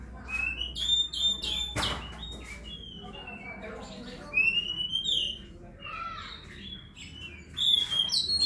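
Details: Oriental magpie-robin singing: bright whistled phrases, some rising and sliding, others sharp and high, in bursts with pauses between, over a low steady hum and faint background noise.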